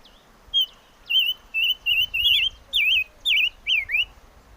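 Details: Chim ngũ sắc (five-coloured bird) singing a run of about nine clear whistled notes, each warbling and wavering, some ending in a falling slur, spaced roughly half a second apart over a quiet background.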